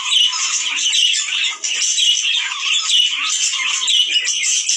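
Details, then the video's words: Budgerigars in mating-stimulation chatter: overlapping squeaky chirps and warbles, with a brief dip in loudness about one and a half seconds in, then the busy chorus resumes. "عندك طيور بادجي لا تتزاوج😔 الحل صوت يحفز الدكور والانات على التزاوج💯🥰"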